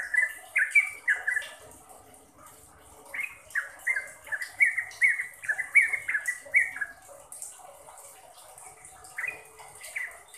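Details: Sooty-headed bulbul trucukan song for training caged birds: opening burst of whistled notes, a pause, then a long lively run of falling slurs, ending with a few isolated phrases amid soft background noise.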